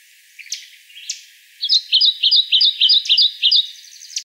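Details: Kentucky warbler song from Land Between the Lakes, Kentucky, in May 2014: about eight clear, rolling two-note phrases delivered quickly and evenly, after a few faint scattered chips.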